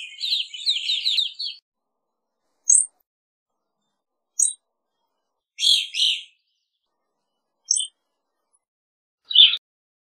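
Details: Evening grosbeak: a burst of rapid chattering chirps first, then scattered single and double high chirps and one final descending note over ten seconds, with silent gaps between.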